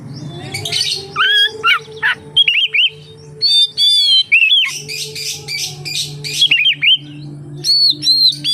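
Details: Oriental magpie-robin singing energetically as a lure to coax other magpie-robins into song: rapid varied whistles, trills and chattering notes in quick bursts, a low droning hum running beneath.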